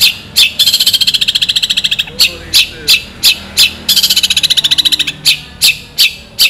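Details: Long-tailed shrike singing energetically as tutor material for other birds. Long sharp bursts: two extended rapid buzzy rattles alternate with spaced harsh, scratchy chatter notes, all high-pitched and clear over a quiet background.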